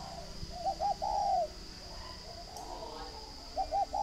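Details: Farm-kept spotted dove from Ba Vì, Hanoi, northern Vietnam, coos two short notes and a long soft drawn-out note, then starts the phrase again, with faint distant coos and a steady high whine.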